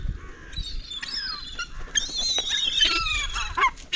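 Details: Hungry gulls piling in and competing for food: a run of harsh, harmonic calls, some sliding downward and others rising, overlapping from several birds, with scattered sharper squeals near the end.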